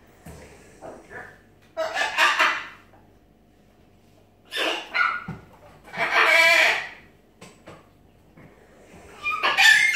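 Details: Captive pet macaw giving a series of raspy, grating squawks of varying length, some short and clipped, one drawn out, separated by quiet pauses indoors.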